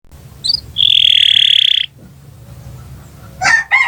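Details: Canary song played as a long training recording for other birds: a quick high rising note, then a sustained buzzy rattling trill for about a second, followed after a pause by short bright chirps.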